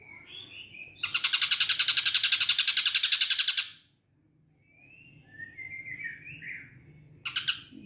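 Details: Caged ashy drongo trained to mimic a kingfisher (tengkek), recorded in the morning: a rapid rattling trill of about 22 harsh, evenly spaced notes over nearly three seconds, soft warbled phrases afterwards, then another rattle begins.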